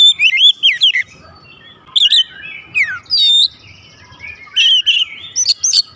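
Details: Oriental magpie-robin kept at home, answering loudly in full voice: loud varied bursts of whistled and slurred notes with sharp upward and downward sweeps, separated by short pauses, over a faint low hum.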